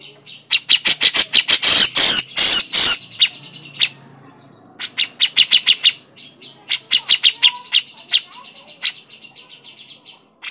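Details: Grey-cheeked bulbul (cucak jenggot) crecetan: dense harsh rasping chatter early on, then looser runs of sharp dry ticks in groups separated by short pauses.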